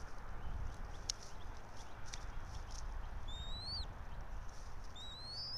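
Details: Bald eagle at its nest atop a pine tree about 90 feet up in Johnson City, Tennessee, home of a resident pair, at 06:28 on 04.03.2024; two thin, high, rising whistled squeals late on, over steady low rumble.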